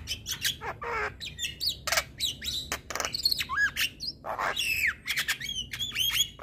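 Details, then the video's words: Male Javan myna song said to provoke other mynas: a loud, varied jumble of harsh squawks, sharp whistles and rising and falling chattering notes delivered in rapid, uneven bursts with barely any pause. "Burung Jalak Apapun LAngsung Emosi Dengar Suara Jalak Kebo Jantan"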